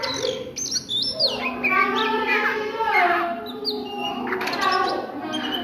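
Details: Midday singing by an Oriental magpie-robin, varied whistled phrases with downward slides and harmonic-rich notes, fairly dense and continuous, backed by a droning hum.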